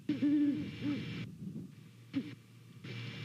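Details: At a nest in Savannah, a pair of Great Horned Owls hoot to each other on a November 2019 morning, heard through a nest cam. A strong run of deep, mellow hoots opens, followed by a single later hoot amid soft hum.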